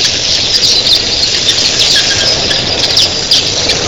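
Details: Early-morning flock of thousands of red-billed queleas producing an unbroken, shrill squealing chorus, with a steady low rush of wingbeats that sounds like waves on a beach.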